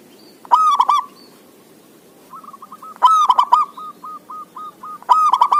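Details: Perkutut, the zebra dove, in vigorous song meant to coax lazy doves into singing: three rough, rattling cooing bursts about two seconds apart, linked by strings of soft, short, evenly spaced hooked notes.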